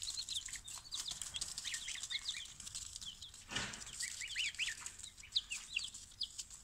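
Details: Newly arrived chicks of a mixed barnyard assortment, collected from the post office early in the morning, peeping constantly: many overlapping high, short chirps, some rising and falling, with rustling and scratching in the box.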